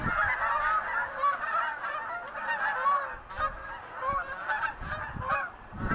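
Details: A large flock of snow geese resting on the St. Lawrence during spring migration north, giving a continuous overlapping chorus of nasal honks and yelps from many birds at once.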